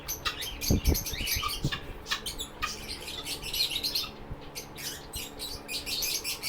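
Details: Lovebirds kept at a shelter for sick birds give dense, rapid chirping with harsh squawky notes, a near-continuous high chatter broken by a few short gaps, over a low background rumble.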